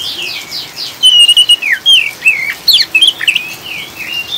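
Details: Oriental magpie-robin ngriwik song used to steady caged birds: a long sliding whistle, then quick looping chirps and twisting notes in bursts, with rain hissing softly behind.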